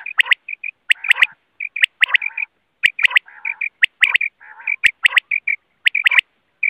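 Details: Quail sounds in a dense, busy series: high whistled notes and sharp clicks, broken by lower nasal, buzzy bursts, repeating about once a second without pause.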